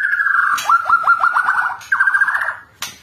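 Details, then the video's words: White-rumped shama giving a bursting song with tight rolls: a clear whistled note, then a fast run of repeated downslurred notes, a short pause, and a second rapid rolling series, ending in a sharp click. "Tembakan Murai Batu Suara pedas roll rapat"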